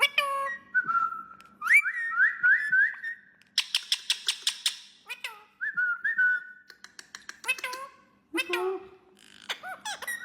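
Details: Pet parrot talking and whistling indoors: a varied run of rising whistled notes, a rapid string of sharp clicks, speech-like squawky syllables and more whistles, with a faint hum underneath.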